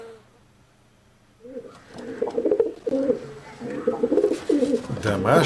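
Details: Domestic village pigeons cooing in low, throaty, rolling phrases, several birds overlapping after a quiet opening second, with a brief rustle near the end.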